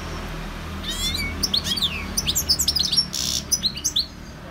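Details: European goldfinch giving a short run of twittering, slurred high notes with one buzzy burst, over a steady low background hum.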